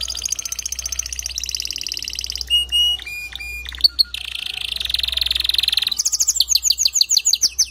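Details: Male canary singing to stimulate a female to build her nest: a varied song of rapid high trills, buzzy rolls and short whistled notes changing tour every second or two, with a steady low hum beneath.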